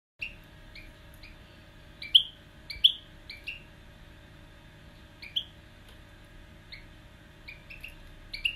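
A young female European goldfinch gives bright, tinkling high chirps, singly or in quick pairs, every second or two over a steady low hum.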